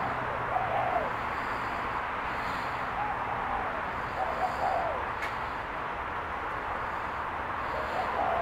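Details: Spotted dove calling: soft, low cooing phrases repeat several times across the stretch, each a few short notes, half-buried under a steady broadband hiss and a faint low engine-like hum.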